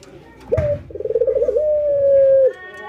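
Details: Ringneck dove laughing during routine training, albino white bird against a local one: a brief clipped note, then a fast pulsing chuckle stretching into a long, smooth, level coo lasting about a second.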